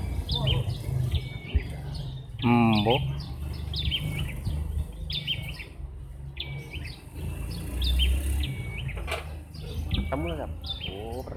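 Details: Bar-winged prinias calling back and forth as if competing over who sounds louder. Sharp, high, clipped chip notes repeat rapidly. A lower, harmonic-rich call sounds twice, and a low rumbling background runs throughout.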